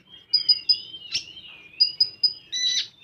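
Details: Common iora, 'full tembakan' song style: three bright high pips, a harsh burst, a long slurred whistle dipping then rising, more pips and a closing rasping note.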